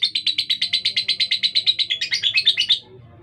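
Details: Caged female fighter lovebird with a rough, speedy voice sings a quick run of coarse, high chirps, around six each second. The notes grow slightly more varied near the end, then stop abruptly, leaving quiet.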